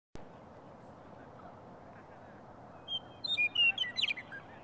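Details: Morning songbird, a female, at the Rocky Mountain Arsenal on March 17, singing briefly before flying off: after quiet background, a short phrase of clear whistled notes at varied pitches ending in a quick jumbled twitter.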